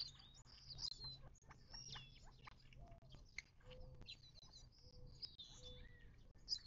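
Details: Desert birds gathered at a Mojave Desert watering hole in southern California, near Joshua Tree National Park, on 19 March 2024, giving high thin chirps and several short, steady mid-pitched whistled notes against a faint low hum.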